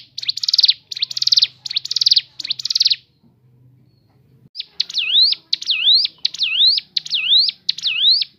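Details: Crescent-chested babbler, locally ciblek gunung, in natural song variations: four buzzy, rasping high bursts, a short silence, then a run of clear upslurred whistles repeated about twice per second.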